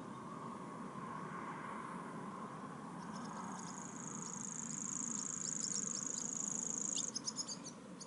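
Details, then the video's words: Common grasshopper warbler reeling at Waverhoek: a high, dry, insect-like trill held steadily for about four seconds, ending in a few separate clicks, over low rumbling background noise. "sprinkhaanzanger waverhoek1"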